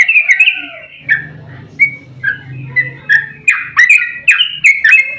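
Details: Fighting yellow-vented bulbul, its long 'ropel' song used as a lure to set other bulbuls singing; harsh squawky slurred notes, then loud bubbly phrases repeated about every half second, with a low hum underneath.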